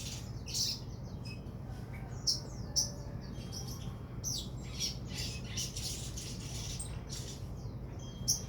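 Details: Sogon bird uttering rough, scratchy high calls mixed with short sharp chips and thin whistled notes, irregularly spaced, against a constant low background hum.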